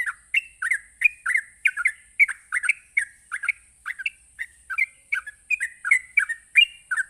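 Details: Fast 'ropelan' song of a sooty-headed bulbul, used to provoke other bulbuls: chattering runs of short, downward-slurred whistled notes in quick pairs and triplets, continuous throughout, over a thin steady high hiss.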